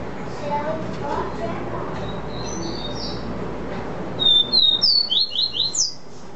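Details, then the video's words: Caboclinho seedeater with vi vi ti style song: soft, scattered high whistles at first, then a loud burst of sharp, slurred whistled notes in rapid succession, rising and falling, closing the phrase. "CABOCLINHO VI VI TI"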